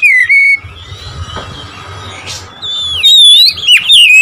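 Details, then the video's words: Oriental magpie-robin song to provoke rivals: an opening pure whistle, a quiet pause with faint background rustle, then a bright rising whistle and quick twisting notes. "memancing emosi Kacer lawan"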